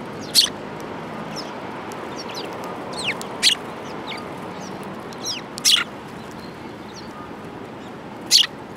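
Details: Sparrows at a feeding spot at a Tenmangu shrine in January 2018; four isolated, crisp high chirps spread irregularly across the stretch, with faint quieter notes between and low background rumble.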